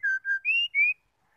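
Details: Call of a female white-rumped shama, meant to stir males to sing: two flat lower whistles, then two higher rising whistled notes in quick succession, clean and unaccompanied.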